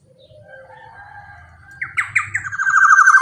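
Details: Black-naped oriole, a large-bodied bird singing lively, kept as a lure for other orioles: faint soft whistles, then a run of loud harsh nasal notes that rise in pitch and grow louder toward the end.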